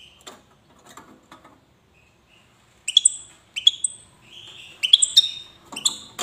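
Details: Goldfinch of the wydani type from Safi, Morocco: soft scattered chirps at first, then loud ringing phrases of sharp high notes and buzzy drawn slurs repeating every second or so.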